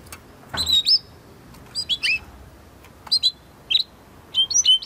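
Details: Spanish Timbrado canary from 2020 breeding, training song: short bright whistled phrases with quick rising and falling notes, given in separate bursts with brief pauses between.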